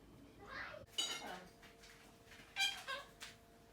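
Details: Pet male Quaker parrot, one year and six months old, making cute noises indoors: a few short, harsh, squawky bursts with bright harmonic chirps, roughly four sounds in under four seconds, over a faint steady hum.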